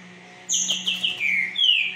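A Green-winged Saltator sings a loud, fast phrase: several quick bright notes, then a long slurred whistle falling in pitch, over a faint steady hum.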